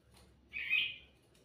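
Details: Sooty-headed bulbul in vigorous song, used as a lure: one brief, slurred, warbling note swelling and fading in under a second, with near silence around it.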